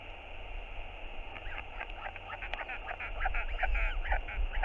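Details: Northern royal albatross chick at its nest, hungry and begging its father for food; pulsed calls start faint under wind hiss, then grow louder and faster, roughly three per second toward the end.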